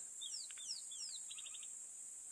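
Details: Rattling cisticola calling unseen from a thicket on 16 November 2022, with cicadas present: a few sharp, high, down-slurred notes, then a quick dry rattle of about six clipped notes over a steady high hiss.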